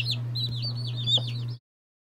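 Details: A brief burst of high, wavering peeps from a group of day-old chicks of mixed breeds such as Orpingtons, Marans, Silkies and Seramas. A constant low hum runs underneath, and the sound cuts off abruptly.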